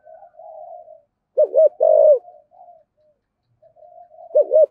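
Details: Spotted dove with a 'giọng thổ' voice, used to prompt wild-caught doves to coo: two rounded double notes and a long, full coo, then another double note, with quieter steady cooing in between.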